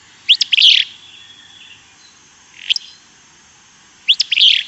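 Willow Flycatcher giving its wheezy, burry two-part song, a sneezy "fitz-bew," repeated twice about four seconds apart, with a fainter note between.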